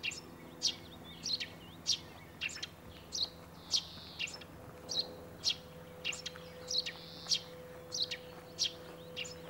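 A Eurasian tree sparrow gives a steady run of short, bright chirps, about fifteen in ten seconds, over a low background hum.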